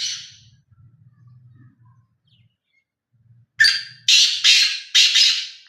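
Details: Black francolin, a harsh buzzy note, then a strident call phrase: a sharp high-pitched opening note followed by three loud rasping grating notes, with a faint low hum underneath between calls.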